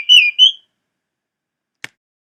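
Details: Baltimore oriole in July 2012 at a riverfront back deck along the Nashua River, Nashua, New Hampshire, giving two clear, slurred whistles in quick succession, then silence broken by one faint click.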